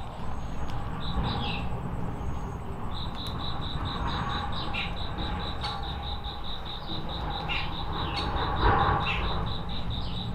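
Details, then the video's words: A forest wagtail in Kolkata on 30 September 2020 gives a fast, even run of sharp, high metallic notes, several per second, over a thin high insect buzz and a low background rumble. "Forest Wagtail"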